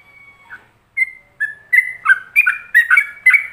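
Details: Training song of a yellow-vented bulbul in ropelan style: one long thin whistle, then spaced single notes that quicken into a rapid chain of rich, slurred whistles, about three per second.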